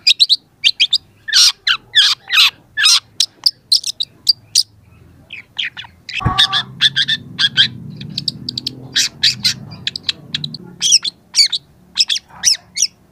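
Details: Young long-tailed shrike in full song, a training recording: long fast medley of harsh notes, chips and short whistles, with a sharp click midway and a faint low hum beneath.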